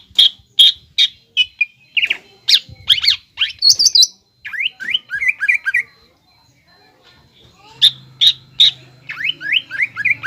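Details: Greater green leafbird 'nembak ngekek' lure song for young birds. Sharp repeated whistled notes alternate with twisting slurred phrases and a high ringing passage; a faint low hum comes in near the end.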